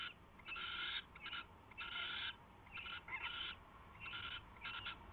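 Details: Nesting owl in the early hours of 24 February 2016, 4:21 AM, with a mouse brought in and fed; grating, breathy screeches come in irregular clusters, some split into quick double bursts.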